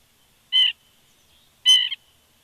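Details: Woodpecker close to an eagle nest at Big Bear, morning of 14 September 2019, gives two harsh, nasal calls about a second apart, each a brief rasping burst over an otherwise quiet background.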